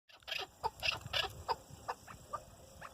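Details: Chukar partridge hen together with her chicks, giving soft short peeping notes about three a second over a low background rumble.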